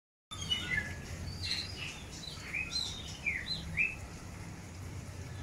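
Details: Long-tailed white-rumped shama during the pairing process for breeding, giving a varied phrase of short, high whistled notes and slurs, rather quiet over steady low background hum.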